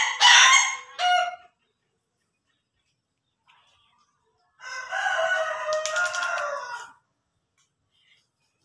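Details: Ayam Ketawa rooster, a laughing chicken breed, giving two short loud harsh bursts at the start, then silence, then a longer rough, slightly stuttering crow lasting over two seconds before fading.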